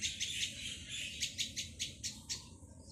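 A young plaintive cuckoo gives rapid, high, hissy begging notes, about three per second, over a low rumble of background noise.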